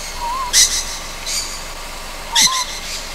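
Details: Juvenile Ryukyu scops owl at night, Amami Oshima: two loud rasping hiss-screeches nearly two seconds apart, each preceded by a faint wavering whistle.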